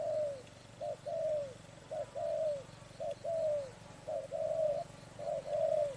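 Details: Spotted dove recorded during bird trapping, giving low, soft two-part coos: a short note, then a longer falling coo. The phrases repeat steadily, about once a second, with faint rural background.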